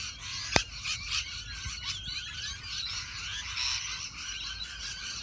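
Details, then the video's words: A flock of rainbow lorikeets fills a tree, recorded on a ZTE Nubia Z7 Max phone. A dense, continuous chorus of shrill, overlapping chirps and screeches, with one sharp click near the start and a low rumble beneath. "Chirping tree, Rainbow Lorikeets infested tree"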